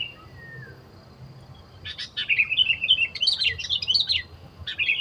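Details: Wild sooty-headed bulbul singing in forest during bird trapping: after a quiet start, a burst of quick chirpy, warbled notes runs for about three seconds, followed by a brief fresh phrase; faint low rumble underneath.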